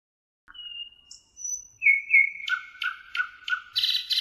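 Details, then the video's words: Thrush nightingale singing by the Emajõgi river in Tartu, Estonia, on 1 June 2018: a long thin whistle, a rising note, then a rapid series of sharp repeated clicking notes and a buzzy rattle at the end. "Ööbik Tartu emajõel 1.06.2018 - nightingale, Luscinia luscinia in Tartu Estonia"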